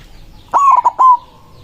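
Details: White zebra dove calling rivals gives a single strong, stuttered coo, three joined parts lasting about half a second, with little else audible.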